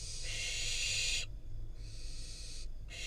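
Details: Wild barn owl fledgling in Israel getting a rodent from its parents; one long harsh hiss, then a softer one and the start of a third.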